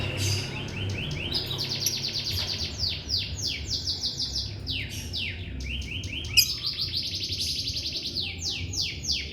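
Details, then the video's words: Lovebird chirping in fast repeated bursts, each a quick series of high descending chirps, nearly continuous with brief pauses, over a faint low background hum. "Lovebird Chirping Sounds"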